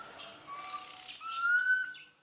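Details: Black Cuckoo (Cuculus clamosus), southern Africa, giving its mournful whistled call: two level notes, then a louder, drawn-out note rising at the end.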